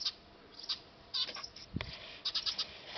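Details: Eurasian tree sparrows at a nest on a factory roof give scattered high chirps in small groups, with one dull low thump partway through. Recorded with a D5000 camera.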